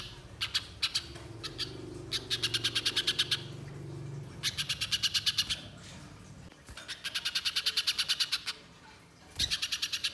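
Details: Active spiderhunter, long chattering lure recording for trapping in the wild: several bursts of fast, ticking, high chips with brief gaps, over a faint low hum.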